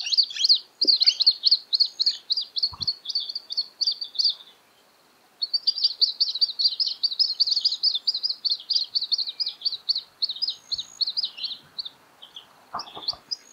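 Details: Juvenile Australasian grebe near an adult that is catching yabbies and feeding it, Littlehampton, South Australia, 13 October 2020: rapid run of high, thin chirping notes that continues almost without a break. There is one short pause, and a few faint low knocks.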